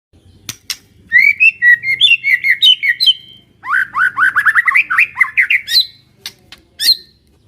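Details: White-rumped shama, a village bird, singing surprisingly actively: loud, fast series of short whistled and chirped notes around mid-high pitch, with a sharp burst near the start and a high flourish toward the end; faint low hum behind.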